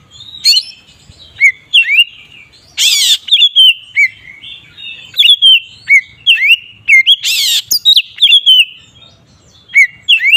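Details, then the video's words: Oriental magpie-robin singing the ngeplong style, used as a lure to make other magpie-robins agitated: loud whistled notes sliding down and rising, mixed with two harsh raspy bursts at roughly four-second intervals, clean background. "Suara burung Kacer ngeplong ini paling ampuh untuk pancingan Kacer agar emosi"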